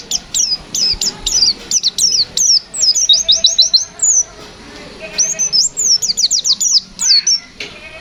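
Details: White-eye singing in the energetic 'ngalas nembak' fighter style. Continuous rapid volley of high, sharp, down-slurred whistles, some in fast runs of four or five, with only brief pauses throughout.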